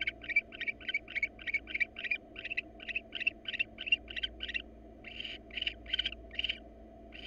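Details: Mating invitation from a wild female barn owl to an uninterested male, pre-breeding, hot weather; fast series of sharp chittering notes, a short gap near the middle, then louder, harsher chitters resume.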